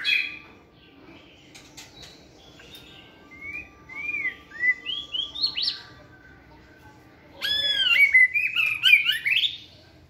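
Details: Caged white-rumped shama exercising in a flight cage gives a lively song: spaced, slurred whistles rising in pitch, then a loud burst of rich, tumbling warbled notes near the end.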